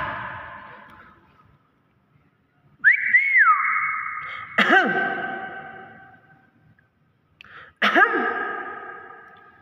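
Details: Hill myna, a talking bird said to say anything, giving loud, clear whistled notes with rich harmonics: a rising-falling whistle, then sharp swooping calls near four and eight seconds, with quiet gaps between and faint background music.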